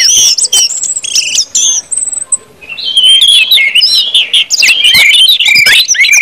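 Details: Orange-headed thrush with 'ngeplong' singing: high thin whistles and buzzy rattles, then a short lull and a rush of rich warbled, mimic-like phrases with sharp ticks.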